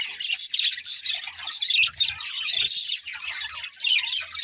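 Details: Happy budgies singing and playing: short loud bursts of squeaky chirps and twitters overlapping from several birds, with quick gaps between bursts.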